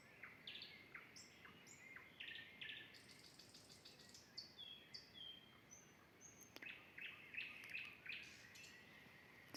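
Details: Common nightingale singing near a forest edge by a vegetable garden, said to sing while it builds its nest; varied whistled and trilled phrases, high sweeping notes, then rapid repeated chirps.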